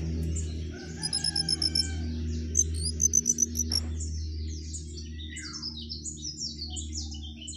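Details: Jongkangan singing actively with rising and falling phrases: very high, thin chips repeated about four per second, then a run of short descending slurred notes. A steady low mechanical hum runs throughout.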